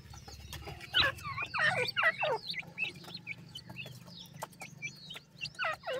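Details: Captive black francolin chicks, said to be getting weak, give thin high peeps and short chirps in quick loose bursts of several per second, with a few softer notes between bursts and a quiet background.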